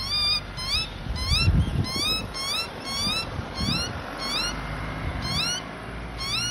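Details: Young Australian magpie being fed by its mother, calling with short, upward-sweeping squeaky cries about twice a second in an insistent series, with low rumbling noise underneath.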